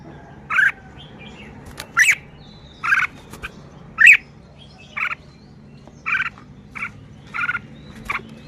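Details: Red-whiskered bulbul showing off its song phrasing: a steady run of short, harsh, buzzy chattering notes, about one every second, with a few brighter whistled notes mixed in, over a low background hum.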